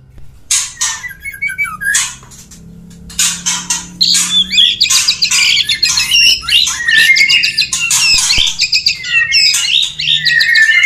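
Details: Male white-rumped shama courting a female. Harsh, scratchy bursts alternate with short whistled notes, then a busy run of squeaky, rising and falling whistles builds up toward the end.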